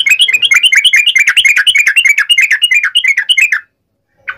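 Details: Yellow-vented bulbul in tarung uplik ropel fighting song, used to provoke responses: a dense, fast run of warbling chatter notes lasting about three and a half seconds before stopping.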